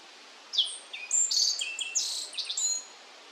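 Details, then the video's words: Black-faced bunting, one of two birds seen carrying many bugs in Yashima marshland, Kirigamine highland, Nagano, Japan. A quick high phrase of thin whistled and buzzy notes, some sliding down, others flat. The bright strokes sit over a quiet background. "Black-faced bunting carrying lots of bugs 🐛 霧ヶ峰八島湿原にいたアオジの鳴き声（地鳴きと囀り）"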